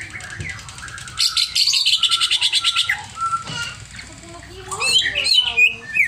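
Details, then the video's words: Over-emotional greater green leafbird delivering a rapid string of high, evenly repeated chips, about three per second, then a pause and a burst of twisting whistled notes; faint background noise underneath. "CIRI CUCAK IJO OVER EMOSI"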